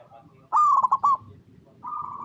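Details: Perkutut (zebra dove) of local stock, recorded in natural habitat as a lure for other doves to answer; after a faint murmur, one loud choppy coo phrase comes, followed by a softer steady coo.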